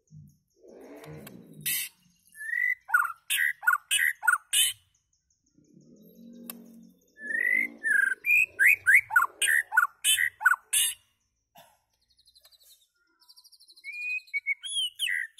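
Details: White-rumped shama singing: bursts of rich, varied whistles sliding up and down, mixed with sharp clicking notes, with short pauses between phrases and a few low murmuring sounds near the start and middle.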